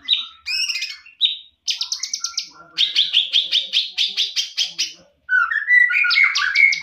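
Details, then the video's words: Greater green leafbird, a champion songbird, pouring out clear high whistles, then bursts of fast repeated chattering notes in rhythmic runs, ending with rising slurred whistles; no other sounds. "Masteran Cucak Ijo Full Isian Burung Juara"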